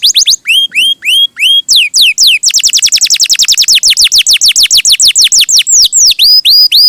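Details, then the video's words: Canary singing lively and sweetly. Begins with spaced rising whistled phrases, then breaks into a long rapid series of high descending whistles, closing with a few slower curved notes. "Suara Burung Kenari!!! GACOR MERDU"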